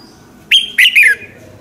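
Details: Morning song of a red-whiskered bulbul, used to train and provoke other birds to sing: one quick phrase of three bright whistled notes, the last sliding downward, against quiet low background noise.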